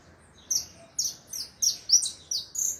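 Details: Saffron finch song of six bright, high chirped notes, each short and slightly slurred, spaced about every half second over a low background hum.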